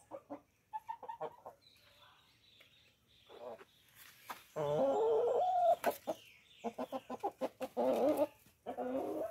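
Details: Light Brahma chickens, tame hens kept in a home backyard, eating corn; short clucks and a drawn-out tonal cackle, with scattered clicks and pecking sounds between calls.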